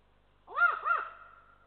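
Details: Warning call of an adult Eurasian eagle-owl at a nest in Estonia while a lynx passes, 7 December 2023, nest camera: a pair of short rasping arched barks in fast succession, then a faint trailing tone.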